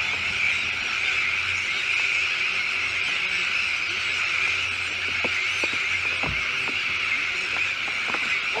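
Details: Many Sandwich terns calling together at a breeding colony with chicks, on a new shell island in De Putten, Netherlands: a constant, shrill, grating chorus with scattered sharp ticks throughout.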